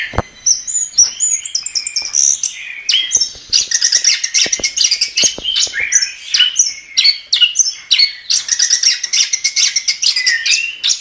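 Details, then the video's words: Extended gacor song of the chestnut-capped thrush: rapid chattering trills, rattling runs and high sliding whistles, the rhythm fast and varied, the song dense from start to finish. "Suara Burung Anis Kembang | Gacor"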